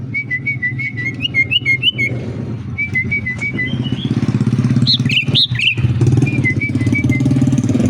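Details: Sooty-headed bulbul giving short runs of liquid whistled notes, repeated in quick bouts, with a few higher rising notes near the end, partly masked by a loud motorcycle engine running throughout.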